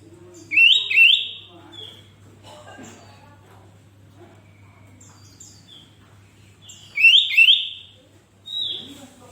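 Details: Energetic song of a Sooty-headed bulbul (kutilang), played so other bulbuls learn and answer. A liquid two-note rising phrase rings out twice, about six seconds apart, with a softer trailing whistle and faint chatter in between.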